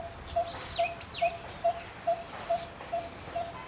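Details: A Malabar barbet in Karnataka repeats a hollow, low 'took' note a little over twice a second, steady and even. Another bird's higher, down-slurred whistles come in early on.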